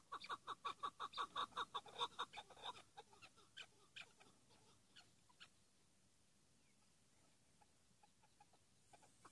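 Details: Chukar partridge, a hıngırmacı decoy bird kept for partridge hunting, sounding a loud rapid chuck series for about three seconds that then fades into scattered quieter notes.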